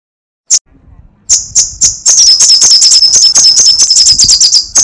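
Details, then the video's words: Gacor crecetan song of a sunbird known locally as sogok ontong or srigati: a few isolated high ticks, then a fast, continuous run of sharp, shrill chattering notes. "Masteran Suara crecetan burung kolibri sogok ontong /srigati gacor"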